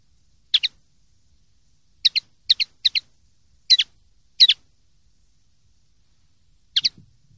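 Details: Common linnet from a 2023/2024 clean-song training recording for silvestrismo, giving sharp high double chirps, some in quick pairs and clusters, spaced irregularly over about seven seconds in otherwise quiet surroundings.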